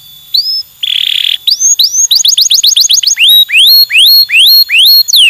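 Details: Bird mastering recording with a rising whistle, a short buzzy burst, then bouncy high upslurred notes in quick succession, followed by longer, louder rising whistles repeated about twice per second.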